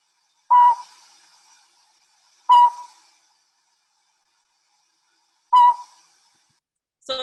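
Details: Northern Pygmy-Owl, a call heard during the daytime and likened to songbirds, giving single, clear, mid-pitched toots spaced two to three seconds apart, each with a slight echo. No other sounds.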